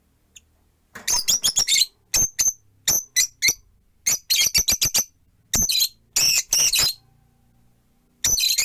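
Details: Busy chatter from four perched rosy-faced lovebirds in a windowside cage: clusters of shrill, high chirps in quick runs, broken by short gaps.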